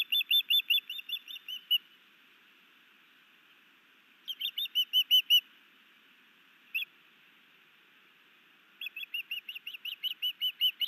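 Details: Osprey at a nest cam in Hellgate Canyon, Missoula, Montana, 11 May 2019, afternoon, as a new male sky dances and brings a fish to his mate: three bursts of sharp, high whistled chirps, fast and repeated, with quiet gaps between.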